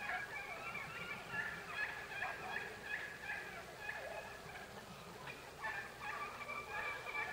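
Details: Wild turkeys waking up in the morning, 9 October 2016, calling over one another in a steady jumble of rough, quavering clucks and yelps, several birds overlapping.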